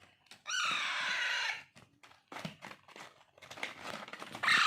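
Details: Hand-fed young Alexandrine parakeet chicks beg with one loud, grating, one-second screech, followed by scattered clicks, scraping and a rising harsh cry at the end.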